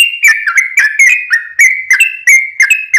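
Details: Sooty-headed bulbul, a constantly singing bird used as a lure for other bulbuls, gives a quick, bubbly series of short whistled notes at a steady pitch, about three a second, each with a crisp click-like onset.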